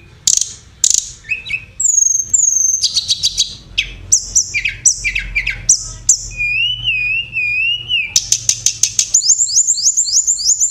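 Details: Oriental magpie-robin singing 'gacor roll tembakan' contest style: sharp high chirps, long clear whistles, a wavering warbled phrase, then a fast run of repeated ticking notes.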